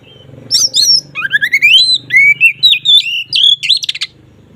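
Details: Kacer (oriental magpie-robin) ngeplong song intended to heighten mating drive: a lively, varied sequence of upward-sweeping and wavering whistles with a chattering ending, over a low steady hum.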